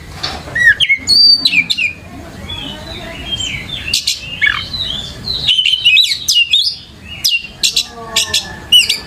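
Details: Oriental magpie-robin lure song meant to draw a kept kacer into replying and singing vigorously: rich, varied whistles, rising and falling slurs and quick chirping phrases with brief pauses.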